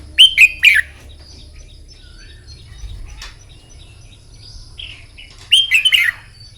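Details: Red-whiskered bulbul singing in the morning for contest song training. A fiery, loud phrase of three sharp, rolling whistles opens, faint chirps follow, and a second similar bubbling phrase comes about five seconds later.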